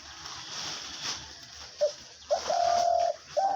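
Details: Hunting decoy dove, said to call day and night around the clock, giving a few short, low, hollow coos near the end, one drawn out for about half a second, after quieter room noise.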